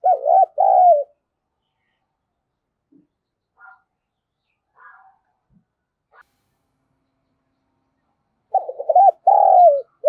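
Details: Decoy spotted dove cooing to provoke and lure wild doves: a stuttered coo phrase ending in a drawn-out falling note opens the clip, near silence follows with a few faint soft sounds, then a second phrase comes near the end.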